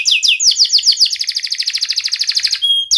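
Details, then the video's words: Canary in full song, played as a prompt to get lazy or silent canaries singing: sharp "cuit cuit" notes. Several quick downslurred whistles open into a long, fast, buzzy trill of evenly pulsed high notes, ending in a thin steady whistle. "KENARI GACOR Suara Tajam Cuit Cuit ngeroL TERAMPUH untuk Pancingan kenari MALAS dan BISU cepat BUNYI"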